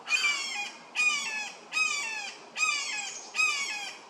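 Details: A red-shouldered hawk in a Florida park one morning, amid commotion as crows mob newly arrived Barred Owls, gives five loud, harsh, slightly downslurred screams about every 0.8 seconds, while the owl seemed to answer.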